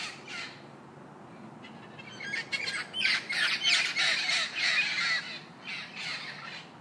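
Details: Parrot giving harsh chattering squawks that start faint and sparse, then swell into a dense, loud run of rasping notes in the middle before tapering off.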